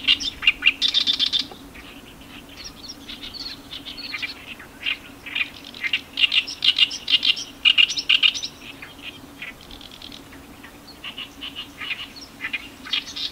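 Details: Several Oriental reed warblers at Iwakuni, Japan, on 18 May 2021 give harsh, chattering bursts of notes in quick irregular runs over a steady low hum.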